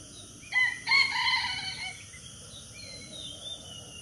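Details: A junglefowl, apparently a lure bird used for trapping, gives one short, clipped crow lasting about a second and a half, harsh and ringing, then breaks off abruptly over steady background hiss.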